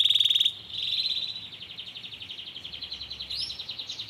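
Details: A yellow Belgian canary sings, opening with a sharp bright buzz, then a long series of quick, even high trilled pulses, with one short rising note near the end.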